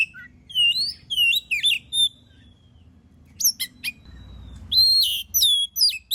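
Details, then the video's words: Oriental magpie-robin singing in energetic form, its song meant to provoke other birds into singing: rapid runs of clear whistles and quick chirps, a quiet gap with a thin whistle, then loud, harsh, varied notes. "Suara burung kacer gacor paling ampuh buat pancingan"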